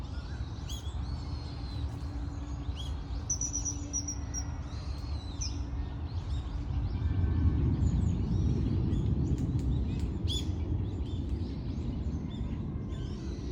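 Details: Common kingfisher recorded on 10 November 2024: a long, thin, flat high whistle early on among scattered chirps of other birds, over a steady low roar.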